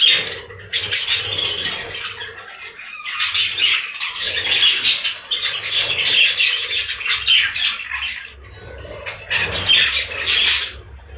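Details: Inside a budgie farm's breeding room, many budgerigars keep up a dense, continuous warbling chatter of scratchy chirps that swells and dips over about eleven seconds with almost no pause.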